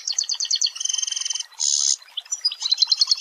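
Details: Long-tailed shrike song, a training recording with dense rapid bursts: fast repeated high chirp trills, a steady buzzy rattle, then a harsh noisy burst, followed by quick clipped notes and another run of chirps.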